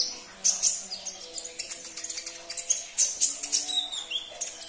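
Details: Sunbird (konin) twittering, played to spur caged birds into song: dense, very high sharp chirps and trills in quick succession, with faint sustained musical tones lower down.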